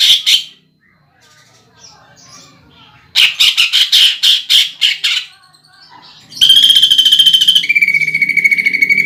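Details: Leafbird song with pelatuk bawang woodpecker imitation, meant to spur contest birds. Clipped chirps, then a series of sharp pulsed notes, ending in a long level whistled trill that steps down in pitch.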